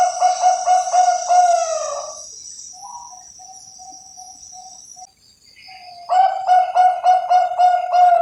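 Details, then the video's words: Bangkok-type zebra dove kept on a Javanese bird farm gives a fast, pulsing low trill that slides into a drawn-out note. A quieter stretch of soft, evenly spaced coos and a steady high insect-like hiss follows, then the rapid trill returns. "SUARA PERKUTUT BANGKOK"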